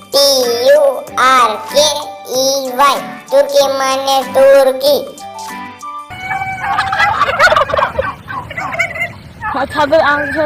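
Turkeys gobble in a rapid, rattling chorus after a voice names the bird.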